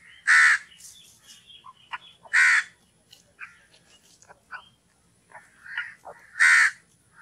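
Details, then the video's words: Crow giving three loud, harsh caws spaced about two seconds apart, with softer scattered calls from other birds between them. "कौवे पक्षी की ध्वनि - crow call & voice"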